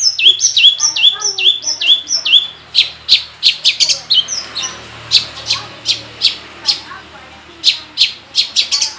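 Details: Long-tailed shrike in lively song full of mimicry, opening with a quick series of high whistles that each drop in pitch, then spaced, sharp, clicking and snapping notes at uneven intervals.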